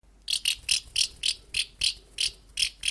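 A Common House Martin gives dry, chirrupy twittering notes, about ten short bursts in three seconds at a steady, quick pace, high and slightly buzzy.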